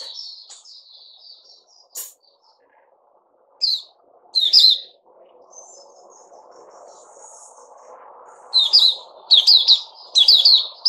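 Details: Caged Puteh Raja bulbul on a fruit juice, mealworm and health drink regime, dated 08-05-2021: scattered sharp chirps, then a fast burst of bright repeated notes near the end, with soft background hum.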